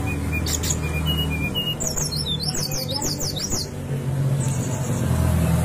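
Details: Song of the Brown-chested jungle flycatcher, played to get caged birds singing: short level whistles, then a fast run of zigzagging high notes, followed by a thin sustained whistle, steady hum in the background.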